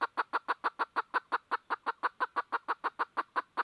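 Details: Red junglefowl hen calling while seeking a rooster: a steady run of short, hoarse clucks, about three per second, each even in loudness, in a quiet background.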